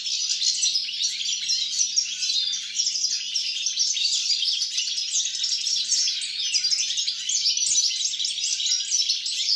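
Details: Recorded 29 December 2022, a European goldfinch pours out a busy, tinkling twitter of sharp chirps and fast trilled phrases that barely pause, with a single soft click near the end and a low steady hum.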